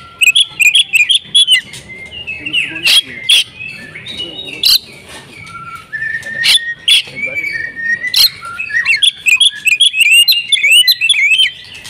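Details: Oriental magpie-robin in insistent fighting song: dense runs of sharp, high chirps and twisting whistles, broken by harsh rasps and long slurred whistles, building again into rapid chattering phrases.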